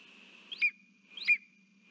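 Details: Male Lesser spotted eagle, holding a frog, gives two sharp, high yelping notes about two-thirds of a second apart, calling to its mate, over a steady faint whine and low hum; Latvia, 3 September 2023.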